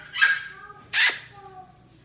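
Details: A female pet hyacinth macaw, nearly two years old and known for talking and laughing, gives a brief raspy, voice-like phrase, then a loud harsh squawk about a second later, with other birds kept in the home.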